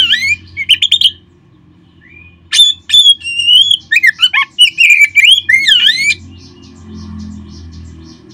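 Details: Oriental magpie-robin song used to spur caged birds into singing: clipped chips, then a burst of loud, varied whistles with rising and falling slurs and rapid notes before fading to a low hum.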